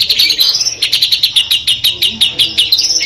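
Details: Madura long-tailed shrike with 'Peterpan' styling giving 'full Armagedon' song material: a steady fast stream of bright chipping notes, about five per second, closing with a higher rising whistle.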